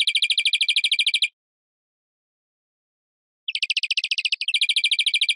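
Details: European greenfinch song: a fast, dry trill of rapid repeated notes for over a second, a pause of about two seconds, then more rapid trills, one slightly wavering, in a quiet setting.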